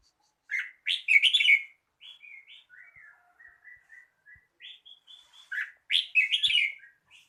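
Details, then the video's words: Red-whiskered bulbul song: a bright gurgling phrase, then a string of thin whistled notes, then another loud warbled phrase, all clear and dominant. "chào mào hót"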